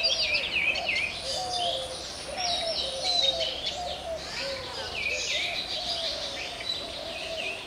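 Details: Oriental magpie-robin, national bird of Bangladesh, singing a continuous varied song of sweet whistled phrases and descending slurs, with a steady insect drone throughout.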